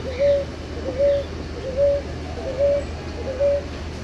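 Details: Ruddy ground dove (rolinha-roxa) repeating a gentle two-part coo, a brief pickup note sliding into a sustained even tone, five times at a regular pace, with low hum and faint distant chirps behind.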